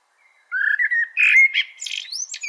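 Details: Blackbird (melro preto) song starting with a gentle rising whistle, building into louder burry notes and finishing with sweeping, scratchy high slurs; no other sounds.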